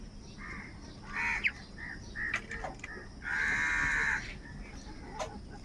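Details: Faint crow caws against a noisy, hissing background, with one longer, drawn-out grating call in the middle, amid crows fighting for food.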